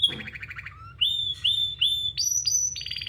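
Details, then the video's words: Singing canary delivering loud, rapid rolled trills, then a string of repeated upslurred whistles climbing higher in steps, each held briefly; low background hum. "Canary Singing"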